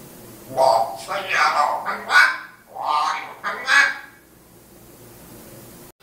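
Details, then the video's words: Pet African grey parrot in Riyadh, Saudi Arabia, said to recite Surat al-Fatiha and praise God: hoarse, voice-like mimicked syllables in two short bursts, with brief whistled tones inside them. "ببغاء كاسكو يقراء القران ويذكر الله كثيرا"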